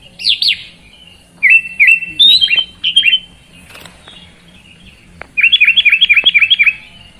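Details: Sooty-headed bulbul singing short bursts of bright, bouncing whistled notes, then a fast run of repeated chirps near the end; brief gaps and a few sharp knocks between phrases.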